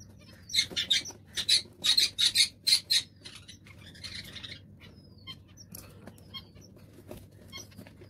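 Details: Zebra finch during egg hatching, in a breeding setting: a quick burst of loud, buzzy, nasal calls packed into the first three seconds, then softer scattered chirps and faint thin peeps over a low steady hum.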